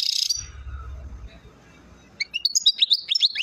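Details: European goldfinch singing at Chouala, Mendes district, Relizane province: a short high burst, then a quiet pause of nearly two seconds, then quick, high, tinkling twitters and slurred notes tumbling rapidly until the end.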